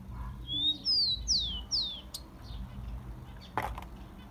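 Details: Brazilian tico-tico, or Rufous-collared sparrow, song meant to warm up captive birds: one phrase of four sweet whistles, first rising, then three sliding downward, followed by a sharp knock.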